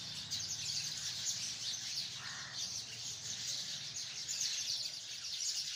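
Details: Hundreds of sparrows in a tree chirp at once, a bright, dense chatter of high notes with some louder chirps standing out and a low background rumble.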